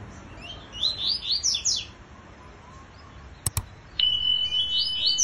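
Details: A double-collared seedeater competing in song with a free-flying bird sings quick bursts of high, sweeping chirps and slurred notes, followed by a couple of sharp clicks and a long, steady high whistle-like tone.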